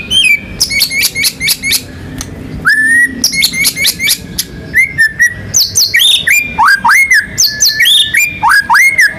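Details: White-rumped shama, a national contest champion, delivering a long varied song: rapid chattering clicks and trills, then rising whistled phrases and looping upswept notes in quick succession, with a brief pause near the start.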